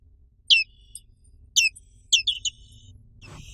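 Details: Black-capped white-eye, an Indonesian endemic, giving three sharp, high, downward-sliding chirps within two seconds, the last a doubled note, followed by a brief burst of broadband rustling noise.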